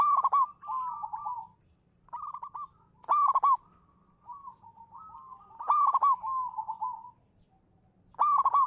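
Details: Champion lure zebra dove of the local type singing manggung: loud harsh-edged rolling coos return about every two and a half seconds, each followed by softer wavering cooing phrases.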